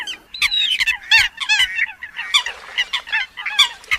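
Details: Several Eurasian coots keep up a continuous babble of harsh, nasal, trumpeting notes, some bending downward in pitch, crowded closely together throughout.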